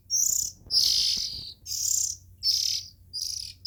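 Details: Oriental magpie-robin nestlings calling: harsh, hissy, high bursts, each about half a second long, repeated at uneven intervals, with a faint low hum underneath.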